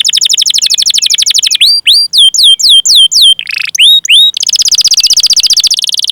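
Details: Long-rolling canary song used as a lure for young canaries: rapid high trill, a series of clear downward-sweeping whistles with one lower harsh note, then a dense, fast continuous rolling trill to the end.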